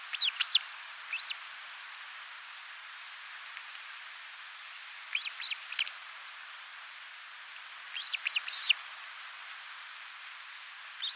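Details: At a Finnish osprey nest on 29 June 2024, the male arrives with a large live fish and the female feeds the only chick; high whistled upslurred notes come in several short groups across the recording, with faint ticking and hiss.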